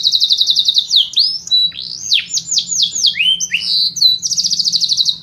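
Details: Canary song for training fighting canaries: fast high rattling trills alternate with loud sweeping whistles that dip and rise, ending in a rapid even trill, with a faint low hum underneath.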